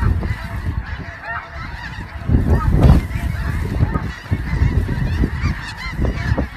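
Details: Massed snow geese giving constant overlapping honks, louder bursts near the middle and end, over a deep background rumble.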